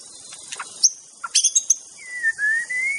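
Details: In the wild, a white-rumped shama gives scattered sharp high notes followed by a long, clear, slowly rising whistle.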